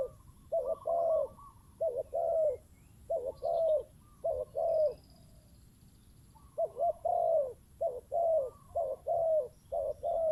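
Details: Spotted doves, a decoy bird used to draw in wild birds, answered by a big-voiced wild caller and a faster one. Soft, hollow cooing phrases of two to three notes repeat in clusters, with a quiet gap mid-clip and faint distant twitters.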